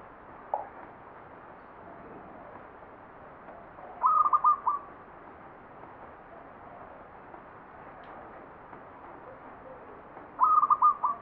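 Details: Perkutut zebra dove, Mataram Jogja ngepat song style: two short whistled coo phrases of rapid stuttered notes, about six seconds apart, over a long stretch of steady hiss, with one faint note early on.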